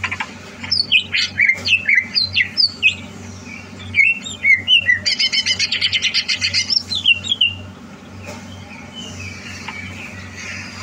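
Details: Greater green leafbird readied for a song contest gives a varied song: scattered sharp whistled notes, then a fast buzzy rattling run of repeated notes, then quieter faint phrases, with a constant low hum behind.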